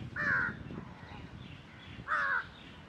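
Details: Calls of a black jungle crow on 4 July 2021: two strong, hoarse caws spaced about two seconds apart over a quiet, low outdoor rumble.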